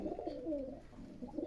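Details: Giribaz pigeons, a breed of domestic pigeon, give soft low cooing in a short phrase, with gentle rising and falling murmurs repeated through the recording, heard indoors with a quiet background.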